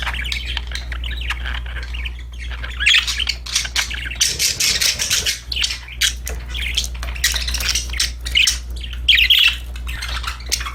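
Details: A flock of happy pet budgerigars keeps up continuous warbling chatter, a rapid mix of scratchy notes and brighter chirps that rises and falls without pause, with a steady low hum underneath.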